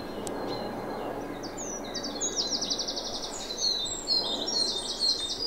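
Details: A great tit in the Chafford area of Thurrock gives a strange call late in the season, when calls come less often. It is an odd run of high, thin, rapid notes in short bursts over a low background rumble.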